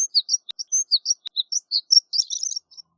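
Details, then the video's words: Rapid high tinkling song of a horned lark, brief sweet chirps and slurred notes tumbling together into a jumbled twittering flourish at the end, with a couple of sharp clicks between. "Horned Lark Bird Singing, Sound, Calling, Voice - Alondra Cornuda Canto"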